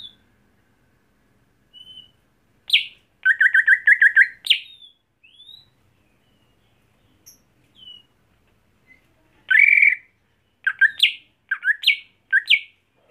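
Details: Caged, home-kept greater green leafbird being trained to turn fierce on the contest hanging pole; scattered bursts of sharp chirps, a fast buzzy rattling trill and short rising whistled notes, separated by quiet pauses.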